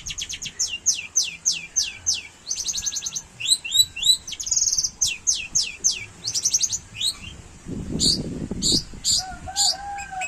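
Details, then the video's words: Long-tailed shrike singing with imitations of a canary: rapid series of high descending sweeps and slurred whistles, dense chattering bursts, a brief noisy rustle, then lower whistled notes at the end. "CENDET GACOR TEMBAKAN KENARI"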